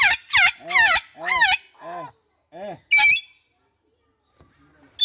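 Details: Citron-crested cockatoo (yakob jambul orange) kept as a pet: several raspy, wavering arched squawks in quick series, then one sharp high shriek, followed by near silence.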